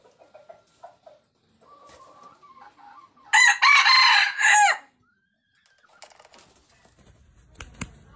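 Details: A red junglefowl crows: a loud, raspy call broken into three close segments over about one and a half seconds, with quiet clucks and clicks before and after.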